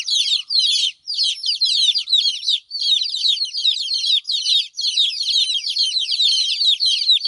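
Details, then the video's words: Chicks of a hen calling with their mother absent: high, insistent peeps in quick clustered bursts with short pauses, roughly two to three bursts a second, from several birds at once. "Chicks chirping"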